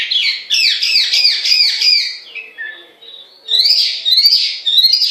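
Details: Melodious laughingthrush (Chinese hwamei) in song: a fast string of bright descending notes, then a slower slurred note, a brief quiet gap, and a high rolling, trilled phrase.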